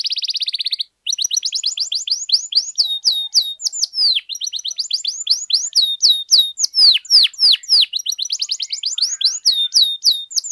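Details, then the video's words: Energetic canary song meant as a tutor and trigger for other canaries: a brief buzzy trill, a short pause, then a steady stream of bright downslurred whistled notes in quick repeated runs. "KENARI GACOR DURASI PANJANG BUAT MASTERAN DAN PANCINGAN KENARI"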